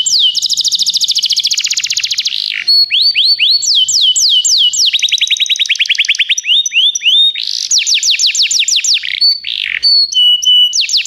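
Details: Canary song used for training other canaries: long continuous rolling tours of rapid high descending notes, each tour a fast repeated series changing pitch every second or two, loud and clear without background noise.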